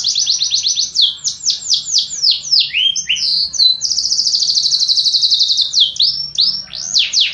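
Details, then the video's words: Singing canary, among assorted canary types: fast falling sweeps, then twisting slurred notes, a long level buzzy roll, and a few widely swooping whistles at the end. "تغريد مع جميع أنواع طيور الكناري"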